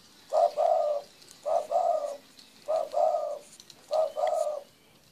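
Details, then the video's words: A spotted dove coos steadily, each phrase a short low note followed by a longer hollow coo, repeated about once a second, with faint background chirps. "Suara Burung Terkukur"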